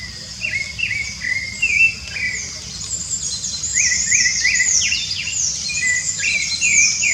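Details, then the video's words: Rufous-bellied thrush singing free in nature: repeated rising and falling whistled phrases, while other birds add rapid, very high chirps and twitters and insects drone constantly in the background. "Sabiá Laranjeira Cantando Livre nanatureza!!!"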